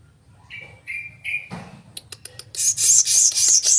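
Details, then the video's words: Blue-crowned hanging parrot giving three short, level whistled notes, then a series of dry ticking clicks leading into loud, shrill, very high-pitched chattering bursts. "Burung Serindit Cantik Suara Unik"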